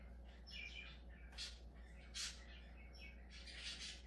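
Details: Budgerigar chatter: buzzy, scratchy warbled notes and clicks in quick irregular bursts, with a steady low hum behind.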